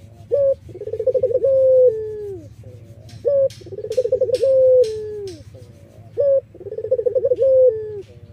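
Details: Iraqi collared dove calling as a lure for wild doves: three phrases of a sharp short note followed by a quavering, pulsed coo and a falling drawn tone, with faint clicks and taps in between.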